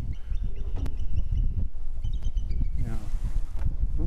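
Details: On a Minnesota lake on 20 July 2015, two bald eagles trade thin, high, piping notes in quick short series over heavy low wind rumble and a person speaking; one circling, one landed, possibly a territorial exchange.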